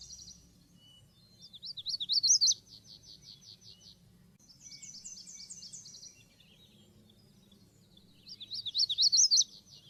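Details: Magnolia warbler singing high, bright phrases. Rapidly zigzagging slurred notes alternate with a fast, buzzy repeated trill. Three bursts come roughly every three seconds over a faint low background hum.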